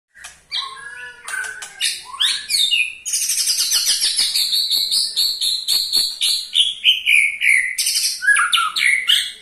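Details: White-rumped shama giving a ketrekan call, used to spur other shamas into singing: a few varied whistled notes, then a long fast run of repeated high, slightly descending chattering notes lasting about six seconds.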